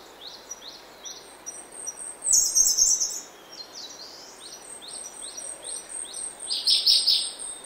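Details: Oak woodland at early morning, a Grey-backed thrush giving a short high twittering burst and later a richer warbled phrase, amid a string of soft repeated chirps and a continuous insect hum.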